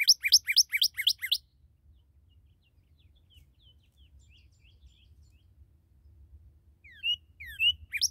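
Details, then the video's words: Red cardinal, newly captured, opening with a fast burst of repeated sharp whistled notes, then a quiet stretch of faint slurs before loud slurred whistles return near the end; low background rumble throughout. "Nueva Captura de Cardenal Rojo"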